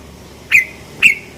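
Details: Sooty-headed bulbul lure call, 'cuk cuk': two short, sharp chirped notes about half a second apart over a faint low hum.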